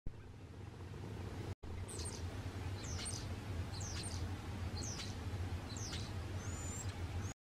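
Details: Skittish male Western Bluebird at Pinnacles National Park, California, USA, on 8 March 2023, giving five short, soft, high notes, one every second or so, over a steady low rumble of wind or distant traffic.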